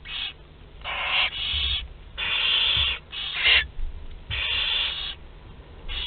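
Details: Harsh, rasping hisses from Barn owl chicks two to twelve days old during a group feeding, Théding, France, 29 April 2021; breathy bursts about half a second to a second long come in quick, uneven succession.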